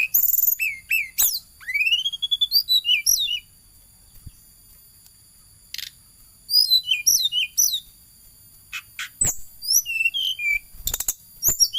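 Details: Flowerpecker singing busily while chasing: bursts of high, thin twittering with rapid up-and-down sweeps and sharp clicks, a quiet spell of about three seconds, then more excited chattering.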